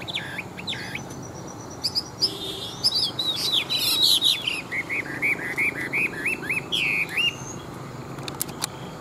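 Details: Wild-caught adult Chinese hwamei, a caged fighting bird, sings a rapid, varied outpouring: harsh buzzy bursts, then a quick descending series of short arched whistles, with faint wing flutters.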